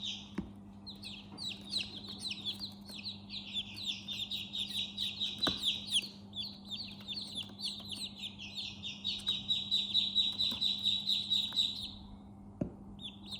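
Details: Baby chickens in a chick house, long stretches of rapid shrill peeps, each dropping in pitch, several chicks calling together, then a brief lull near the end; low hum throughout.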